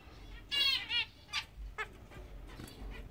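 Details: A big English zebra finch pair, a grey male and a fawn female, gives a couple of short nasal calls followed by a few softer chips, over quiet background hum.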